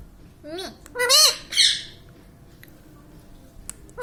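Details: Pet parrot talking indoors, said to be saying "mummy papa": a quick run of three high, harsh, rising-then-falling syllables, the middle one loudest, followed by quiet room background with faint clicks.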